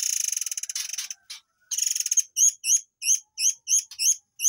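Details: Murai air song used as training material for white-rumped shamas: a fast buzzy trill opens, then sharp hooked high chirps repeat about three times a second.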